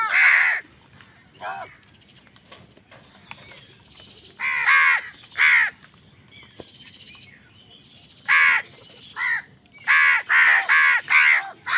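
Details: Angry crows calling while wild birds fight them for food: harsh, buzzy caws in uneven bursts, a lone one first, then a pair, then a rapid run of four or five near the end, with faint chirping between.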